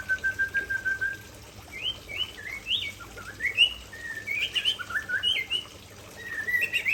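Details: Lively song from an Aceh white-rumped shama showing off its fill-in repertoire: a flat whistled trill, then varied, sweeping whistled phrases that jump between high and low notes in quick, rich bursts.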